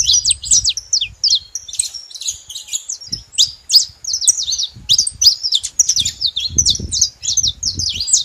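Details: Saffron finches in company, loud and busy: choppy high chips and squeaky slurred notes keep going, with scattered low knocks and rumbles.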